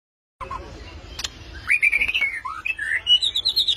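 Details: White-rumped shama singing a flowing run of clear whistled notes that climb steadily from mid to high pitch, with quick warbled turns and a few sharp chips, over a low background hum.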